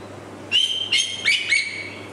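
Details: Juvenile male white-rumped shama, also called murai batu, giving a few clear whistled notes with bright overtones, several short phrases steady or rising slightly, over a faint low steady hum.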